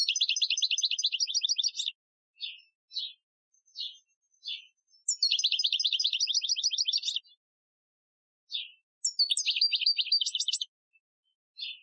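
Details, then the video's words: Algerian-style European goldfinch training song from 2015: long, rapid, high buzzy trills alternating with short separate chirps, the trills repeated about every four seconds. "Chardonneret Chant Algerien 2015 , chant de dressage"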